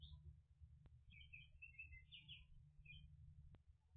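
A catbird gives a two-second burst of squeaky, jumbled chattering notes over a steady low rumble, with two sharp clicks.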